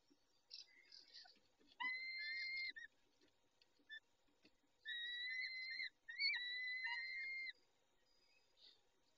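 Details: Peregrine falcon nest, 19:40 on 23 May 2021, the male caring for the females; three long, even, whistled wails, each close to a second, with soft chittering notes between them.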